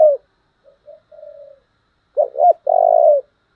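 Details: Spotted dove, a standard model for decoy birds, in the taut 'thổ'-style 'Thúc' coo. Soft, faint coos lead into one loud phrase: two quick hoots, then a long, vibrating low note.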